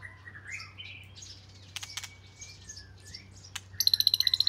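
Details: Oriental magpie-robin (binla), a household's first bird, of southern Thai type, sings varied sweet whistled phrases and slurred notes, ending in a fast, even, metallic trill of about a dozen repeated pulses.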